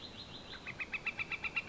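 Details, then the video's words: Northern flicker giving a call: one high drawn note, then a quick run of evenly spaced, sharp repeated notes, about eight per second, growing louder toward the end. "Northern Flicker call and wood-pecking"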